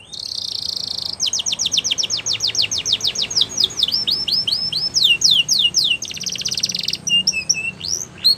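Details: Training song of a Belgian canary for young birds: a dense buzzy trill, then a long series of sharp descending clicks and whistles, another buzzing roll, and closing swooping notes.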